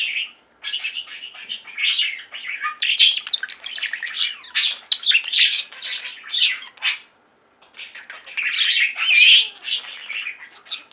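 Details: Pet budgerigars singing together as a flock: long run of buzzy chatter, clicks and whistled chirps, a short silent break, then the warbling resumes.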